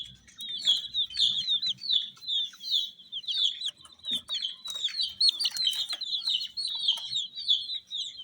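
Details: Rainbow-coloured chicks peeping nonstop: dense, shrill, falling chirps packed closely together from several birds, with faint background rustling underneath.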